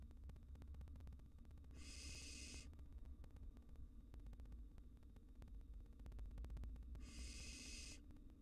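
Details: Wild barn owl nestlings facing an intruding cockroach in their nest box hiss twice, rough noisy bursts of roughly a second spaced five seconds apart, over persistent low hum and light clicks.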